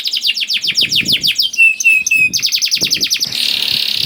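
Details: Canary singing to coax reluctant canaries into song: fast series of descending sweeps, a short run of pure whistled notes, more sweeping trills, then a dense buzzy roll at the end; soft low thumps underneath.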